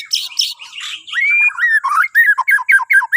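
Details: Morning song of a Bornean white-rumped shama, intended to prompt other birds: harsh buzzy notes first, then a clear slurred whistle and a quick series of rhythmic falling whistled phrases.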